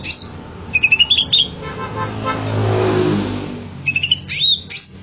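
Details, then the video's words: Greater green leafbird singing gacor: quick bright whistled phrases with rising slurs at the start and end, broken in the middle by the loud whoosh of a passing vehicle. "Suara burung cucak ijo gacor"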